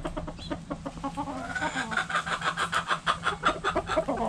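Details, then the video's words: Hens and roosters relaxing in a backyard chicken coop; dense quick clucks repeated several times a second with a rising drawn call in the middle, steady low hum beneath. "Sounds Noises Hens Clucking Roosters Crowing!"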